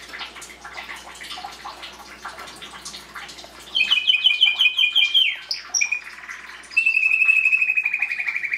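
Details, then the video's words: Canary singing after a few seconds of soft background noise: a rapid pulsed two-tone trill, a brief pause, then a long, even, pulsed trill. "Canary singing"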